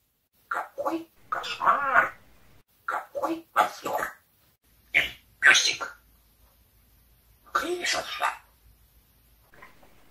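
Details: A talking parrot that swears converses with its owner in short, clipped, word-like bursts with brief pauses between phrases, trading speech back and forth with the person.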